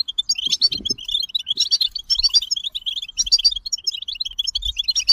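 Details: European goldfinch singing a rapid, continuous twittering song of tinkling, liquid notes and short trills at high pitch, with faint low thumps and a brief fluttering sound near the start.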